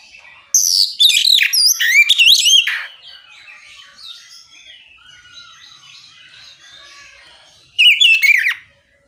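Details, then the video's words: Oriental magpie-robin singing loudly to provoke other magpie-robins to respond; a long burst of varied swooping whistles and trills, a quieter stretch of soft twitters, then another brief loud burst near the end. "Suara kicau kacer ngeplong memancing kacer apasaja ikut bunyi nyaut ngeplong gacor!"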